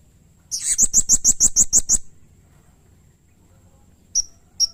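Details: Lively blue-crowned hanging parrot (serindit), a training and lure recording for songbirds: a burst of about eight rapid, piercing high chirps within a second and a half, then a pause and two isolated sharp notes.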